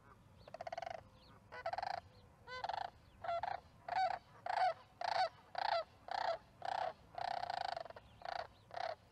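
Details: Calls at the Charlo osprey nest on May 14, 2019, at 6:30pm MDT, thought to be a sandhill crane: loud, rolling, rattled trumpeting notes, about fourteen in nine seconds, each under a second long, at a steady rapid pace.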